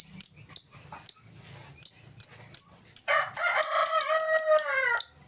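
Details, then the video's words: Lovebird ngetik song without ngekek, used as a lure for other lovebirds: rapid high ticks run throughout, while a loud rooster crow with rich harmonics rises over the second half. "Lovebird full ngetik cocok buat pancingan Lovebird mu!!!"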